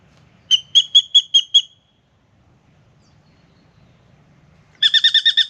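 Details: Spangled drongo singing at a backyard birdbath in Australia on a morning visit to drink. Two short runs of bright, clipped metallic notes, each repeated several times quickly, are separated by a few seconds of silence.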